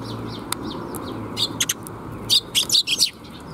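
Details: Several sparrows arriving to be fed at 水上橋 bridge, 26 June 2021, give bright, sharp chirps that start sparse, then quicken into a busy cluster of high tweets near the end, over faint low background hum.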